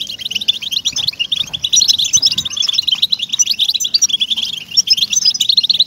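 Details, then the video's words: European goldfinch song to motivate captive goldfinches: intense, unbroken twittering of high, rapid notes mixed with buzzy trills, very crowded and lively throughout. "ESTIMULADOR DE JILGUEROS"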